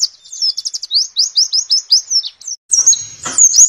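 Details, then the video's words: Pleci white-eye in 'nembak' tutor song, meant for morning play during dewfall: quick series of high, evenly spaced, rising chirps, then a short pause and a sustained shrill trill. "Masteran Pleci Nembak"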